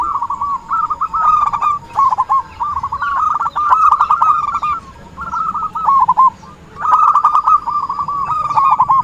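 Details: Zebra dove voice played as a trapping lure: overlapping strings of quick, rolling coo notes in bursts, with a short lull partway through and a faint background hum.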